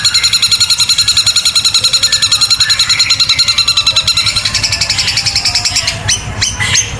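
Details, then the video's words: Long-tailed shrike delivering the loud, long 'tembakan kuntilanak' song style with beak wide open: a rapid, steady, high rattling trill of evenly spaced pulses lasting several seconds, ending in a few sharp, abrupt high notes. "Cendet tembakan kuntilanak super dahsyat panjang keras sampai buka paruh lebar"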